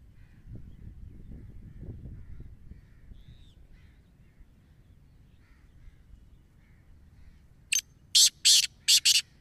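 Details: Black francolin in Punjab: after a quiet stretch with faint distant chirps, a loud burst of five harsh, grating, broadband notes comes in quick succession near the end.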